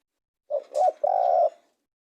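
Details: Spotted dove calling: three low hooting coos, two short notes then a longer sustained coo, in a quiet setting.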